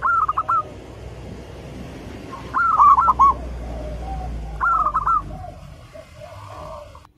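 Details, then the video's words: Loud song of a local zebra dove, used as a lure to get caged birds singing: three bright, bubbling phrases of rapid rolling coos about two seconds apart over a steady hiss of background noise. "Perkutut lokal gacor, suara seperti ini bagus sekali untuk melatih burung perkutut cepat bunyi."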